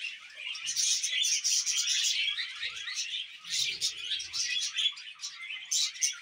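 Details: Pet budgies keep up fast, busy chatter of scratchy warbles and clicking chirps, loud at first, dipping briefly past the halfway mark, then surging again in bursts toward the end.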